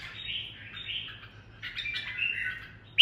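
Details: Red-whiskered bulbul decoy delivering "ché" song, said to be highly unusual. Soft, slurred warbling is followed by a busier, chattering burst in the second half, ending on a sharp click.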